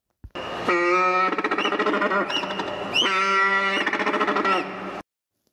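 Macaroni penguin giving a loud, harsh braying call in two bursts, each a sustained nasal note breaking into rapid pulsed honks; nothing else is heard.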